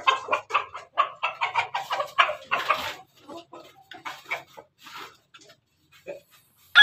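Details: Domestic chickens of the Pelung and Ketawa breeds kept together; a fast run of about a dozen short, clipped crowing syllables, evenly spaced like laughter, fades into softer scattered notes before a sharp final burst.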